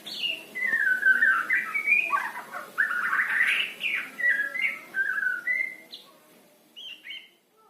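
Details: Trotol-type male white-rumped shama in continuous song. Fast, varied whistles tumble up and down in dense warbling bursts, then thin out into a few scattered high notes near the end.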